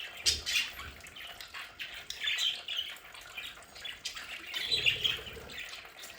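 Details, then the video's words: Budgerigars kept at home in a decorated play area warble and chirp in uneven bursts, scratchy and high, with a soft low rumble under the later notes. "Sonidos de budgies para Budgies en casa"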